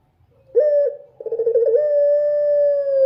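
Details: Night singing of a dove: a short low coo, a brief pause, then a rapid series of throbbing pulses merging into a long, smooth, level coo.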